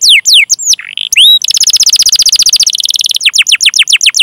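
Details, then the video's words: Long-singing canary with chirping calls and rolls, played to stir young, untrained or silent canaries: a few sweeping whistles, then a rapid even trill lasting over a second, then quick descending chirps. "Masteran Suara Burung Kenari Gacor Panjang cuit cuit Ngerol untuk Pancingan Kenari!"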